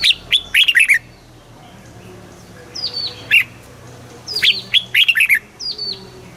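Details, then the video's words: Red-whiskered bulbul song, southern master style, used to teach young birds and rouse caged ones: two fast phrases of bright falling whistled notes, with scattered softer calls between them. "เสียงนกกรงหัวจุก สำหรับต่อ หรือ เปิดให้นกคึก"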